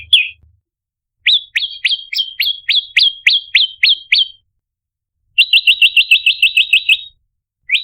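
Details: Ashy tailorbird (prenjak lumut, red-headed) lure recording: bursts of sharp, upslurred chirps repeated rapidly, then a faster, tighter run of near-identical notes, separated by silent pauses; no other sounds.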